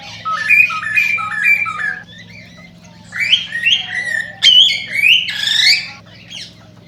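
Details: Cockatiel singing to encourage breeding: a run of stepped low-to-high whistled phrases, a short pause, then rising warbles and sharper squawky notes building louder, steady low hum underneath.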